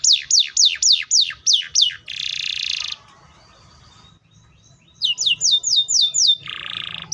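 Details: Canary song: repeated steep descending whistled sweeps, a dense buzzy rattle, a short pause, then more rhythmic sweeps ending in another buzzy rasp.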